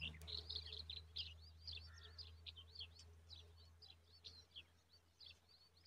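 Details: Nestling Common babblers give rapid, repeated squeaky chirps, about three or four per second, loud at first and then fading into sparser peeps, all over a low background drone.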